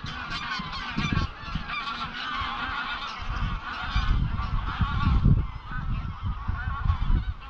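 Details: Wild greylag geese, a flock of about 200-300, flying at dusk from their grazing field to Llyn Maelog near Llanfaelog, Anglesey; overlapping nasal honks come in a steady chorus over strong low wind rumble on the microphone.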